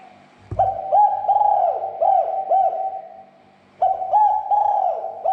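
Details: Provoking call of a spotted dove to stir other doves into calling. A thump opens the clip. Then comes a long phrase of repeated looping coos, a pause of under a second, and a second phrase begins.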